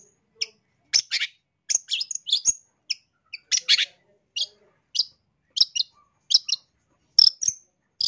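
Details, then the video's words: Long-tailed shrike song for training birds: spaced, high, sharp chirps and short scratchy double notes, coming roughly every half second with silent gaps between them. "MASTERAN CENDET GACOR SUARA LANTANG"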